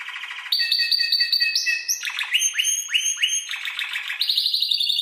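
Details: Spanish timbrado canary tutor recording for teaching other canaries: a low buzzy rattle, then metallic steady tones, rising and falling rolled phrases, and a bright high trill at the end.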